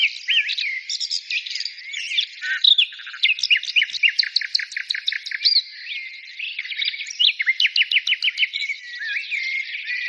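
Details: Several birds sing together, pouring out quick sharp chirps, looping whistles and rapid runs of downward-swept notes, continuous and bright throughout.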